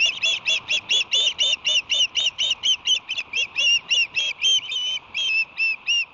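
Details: Osprey fledglings, 58 to 61 days old, at their nest beside a museum ship on 8 July 2020 as an adult brings a small blanket; a steady series of sharp, clear chirps, about four per second, continuing without pause.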